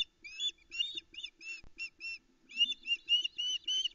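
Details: A female osprey at a Loch Arkaig nest cam, early morning 13 July 2019, calls while waiting to be fed: loud, uneven series of arched, piercing whistled chirps with a short break midway and a single click.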